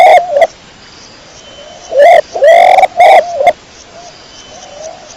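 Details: Domestic pigeon of the kecor type, recorded clear and close: a short harmonic coo, then a loud rising coo followed by two quick clipped notes. A faint murmur of softer cooing lies underneath.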